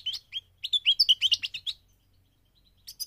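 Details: Short phrase of migrating goldfinch song: a couple of high chirps, then a rapid cluster of bright, rising and falling twitters before silence.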